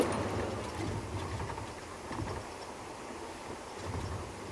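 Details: Broadband rumbling noise from a moving vehicle or wind during a quiet Sunday morning safari drive, fading slightly toward the middle, with no animal voices.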